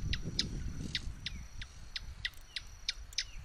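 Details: Swallow-tailed hummingbird producing quick, sharp high ticks about three per second in an even run, with low rumbling noise underneath.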